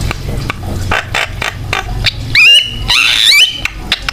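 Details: Javan myna singing energetically, used to coax other mynas into song; rapid dry clicks and rasps, then two loud, clear whistled phrases that sweep up and wobble, with a constant low hum behind.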